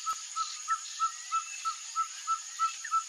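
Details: Ferruginous pygmy owl, known in Brazil as caburé, singing: a steady series of short, mellow, even-pitched hoots repeated about three times per second, with a constant high insect whine in the background.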